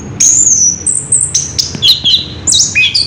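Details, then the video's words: Orange-headed thrush singing in the rolling ngerol style: high, clear whistled phrases that slide and shift pitch, with brief sharp notes between them. "Burung Anis kembang ngerol edan luar biasa"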